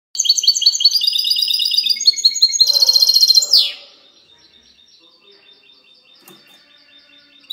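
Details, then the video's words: Goldfinch hybrid singing a clean song, recorded 19 March 2020: a fast, high twittering run of bright repeated notes and buzzy trills lasting about four seconds, then near silence with faint background sounds. "mixto de jilguero cante limpio"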